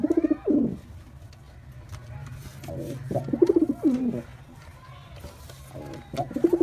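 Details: White male pigeon displaying with low, vibrating coos, one burst at the start, another in the middle and a third at the end, with quiet indoor hum between.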